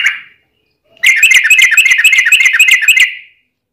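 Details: Sooty-headed bulbul fighting song for luring other bulbuls into singing: a brief harsh note, then an even, rapid buzzy trill lasting about two seconds before tailing off.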